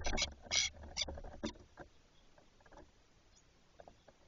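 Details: Female Spotless Starling visiting the nest in late February in Doñana National Park, Spain, as the pair steps up nest visits before spring; a quick burst of harsh, scratchy clicks and rasps, then scattered faint ticks over a low rumble.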